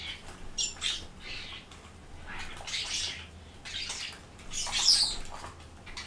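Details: Noisy racket from common starlings, a jumble of harsh rasping squawks and short scratchy notes overlapping at irregular intervals, loudest near the fifth second, with a faint low hum in the background.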